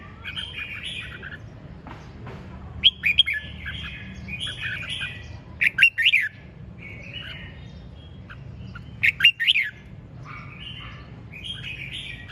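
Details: Red-whiskered bulbul singing vigorously in the ché chẻ song style: short bright warbled phrases, with loud clear bursts roughly every three seconds between quieter chattering notes, over a low steady background hum.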